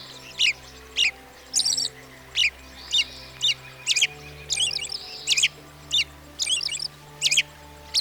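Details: An American Robin, a common US backyard bird, sings short, clear caroling phrases about one every half second to second, some with high squeaky notes, over a soft sustained musical drone.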